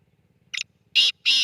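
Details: Black francolin giving a brief harsh call: a short rasping note followed by two loud, broad, grating notes spaced about a third of a second apart, with a soft low hum behind.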